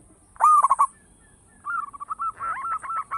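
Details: Zebra dove, local type, singing loudly for luring: a sharp trilled burst, a pause, then a longer run of rapid bubbling coo notes.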